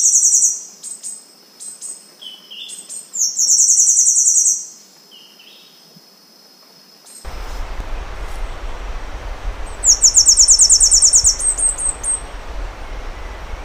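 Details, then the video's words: Temminck's seedeater giving rapid, shrill, cicada-like pulsed trills. Two phrases come early and another follows after a pause, once a rough rushing background noise has set in. "O canto da Cigarrinha do sul"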